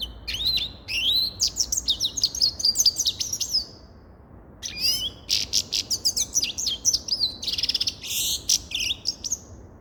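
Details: Grey-crowned goldfinch pouring out two long phrases of bright twittering, rising and falling whistles and buzzy trills, separated by a brief pause.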